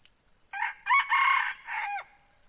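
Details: A red junglefowl gives one full crow of four linked parts, harsh and loud in the middle and ending in a downward-sliding note, with a continuous shrill hiss in the background.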